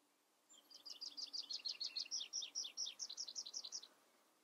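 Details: Tree pipit song: a rapid, evenly spaced series of about fifteen high, bright chirping notes, each a short two-part figure, running for roughly three seconds against a quiet background.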